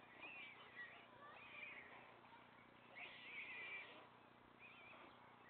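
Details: Three young white stork chicks on the nest, fed by their father; thin, wavering high mewing whines in two or three bursts, with soft rustling between.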